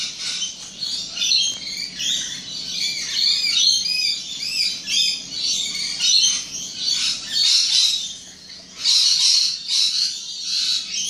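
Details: Rainbow lorikeets on the Gold Coast, Australia: a dense, continuous chorus of shrill, screeching chatter from many birds, rising and falling in waves without pause.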